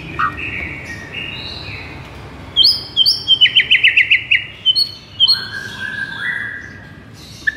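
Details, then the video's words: Masteran recording of white-rumped shama song meant to provoke a listless shama. Soft, long whistles lead into a burst of rapid, bright trilled notes, followed by clear high tones and two lower drawn-out whistles. "MASTERAN EFEKTIF untuk Pikat Murai LOYO seketika langsung NGAMUK"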